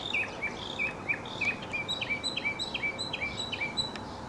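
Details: Mockingbird singing during a leaping, tumbling dance display: rapid runs of clear downslurred chirps repeated at a quick pace, switching partway to higher thin whistled notes, over steady background noise.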